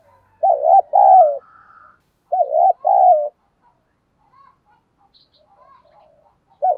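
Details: Cooing of a decoy spotted dove with a loud, clear voice, kept to lure wild doves. Two doubled coo phrases about two seconds apart, then quiet soft notes, and a final coo starting at the end.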